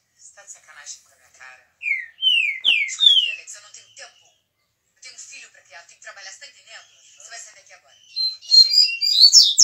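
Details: Singing 22-year-old trinca-ferro mineiro, or Green-winged Saltator: faint scratchy twittering, then a run of four slurred whistled notes that step upward, more quiet chatter, and a loud high rapid phrase at the end.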